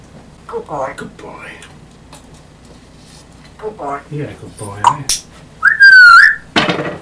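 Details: Pet male African grey parrot talking indoors; the phrase "Go back home!" is used when activity annoys him, meaning leave me alone. Short spoken-sounding syllable bursts, then a loud pure whistle sliding down and back up near the end, with faint household clatter.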